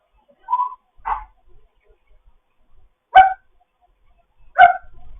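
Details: Foster African grey parrot kept as a pet, morning chatter: four short separate calls, a low hummed note, then two sharper harmonic squawks about a second and a half apart, with quiet gaps between.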